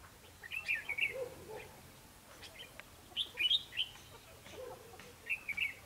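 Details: Fighting song of red-whiskered bulbuls used to lure a wild bird into a trap, 21 December 2015: three separate bursts of sharp, tumbling whistled notes spaced about two seconds apart.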